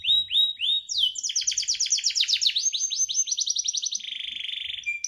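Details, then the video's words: Kept canary in full rolling song: a few slurred whistles, then fast trills of repeated downward sweeps, shifting into a steady buzzy roll near the end. Faint low thumps in the background. "BURUNG KENARI 30 DETIK LANGSUNG NGEROLL|| Denger Cuit-Cuit Kenari Gacor!!!"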